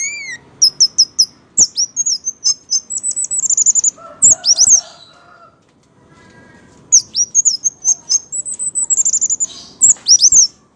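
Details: Orange-headed thrush giving its vigorous gacor song while acting drunk: long runs of fast high chips and slurred whistles, a brief lower chattering passage, a pause, then another rapid high sequence.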